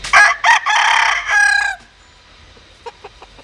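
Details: Loud, close crow from a Japanese-Cuban bantam cross cockerel, rendered very vigorously: two clipped opening notes then a long rasping held note, ending abruptly, followed by soft distant clucks.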